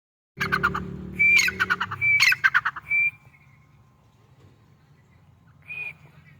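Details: White-plumaged grey francolin calling: a run of loud, harsh, broadband notes over about two and a half seconds, interleaved with short steady whistled tones, then a final whistled note after a pause; low hum underneath.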